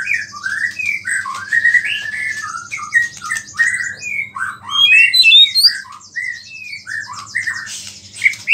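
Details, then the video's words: A vigorously singing white-rumped shama delivers mimicked small-bird phrases meant to provoke other shamas. Varied whistled and slurred notes follow rapidly, with brief high chirps near the middle, over a steady high buzz and faint low hum. "MURAI BATU GACOR ISIAN BURUNG KECIL"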